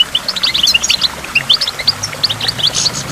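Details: Goldfinch song recorded beside a waterfall among water drops, a lively run of high chirps and twitters, scattered and quick, with a faint low hum underneath.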